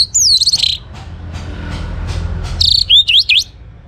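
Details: Young orange-headed thrush from Singaraja, northern Bali, singing to encourage other birds: rich whistled descending phrase with fast trills, a quiet gap over low rumbling hum, then sharp upswept whistles repeated about three times.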